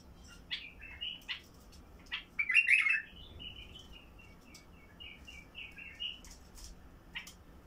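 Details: Basra bulbul with a deep, heavy-throated voice, singing to prompt silent bulbuls into song: short fluty warbled phrases around two to three kilohertz, one louder rich burst near the middle, scattered sharp chips.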